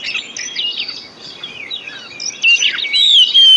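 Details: Lure recording of white-rumped shama song meant to get sluggish or silent shamas singing; soft varied warbles and slurred whistles build into louder, clear rising and falling whistled notes in the last second.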